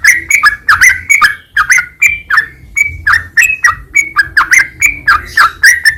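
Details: Yellow-vented bulbul training song, used as a lure to make other bulbuls sing: loud bubbly, liquid phrases of a few notes, repeated about every half second throughout.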